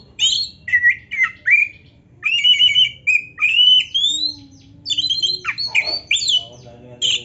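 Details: Rich Oriental magpie-robin song used to get other magpie-robins excited: loud whistled phrases, upward-sweeping slurs and harsh chips in quick groups, with brief pauses between bursts and a low hum underneath.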